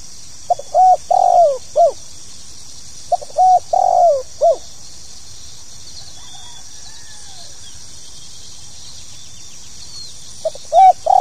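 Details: Spotted dove (tekukur) repeating its 'pokal tanggung' call, meant to get new birds performing: three phrases of short notes and long wavering coos ending in an arched note, spaced about three and six seconds apart, with constant hiss.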